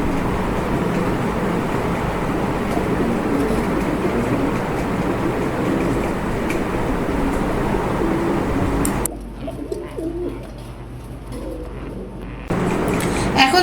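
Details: Male domestic pigeon cooing to a Danish female placed with him, low murmuring notes partly masked by a steady noisy background.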